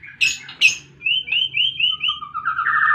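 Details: White-rumped shama in fighting mood: two harsh squawky notes, then a run of five clear upslurred whistles repeated quickly, followed by a lower series of rising whistled notes.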